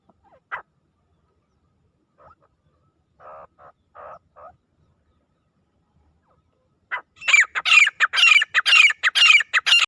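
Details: Grey francolin, desi teetar, a loud sharp call used by hunters to attract francolins: a few scattered short notes, then a fast, regular run of piercing, squawking high notes repeated about twice a second.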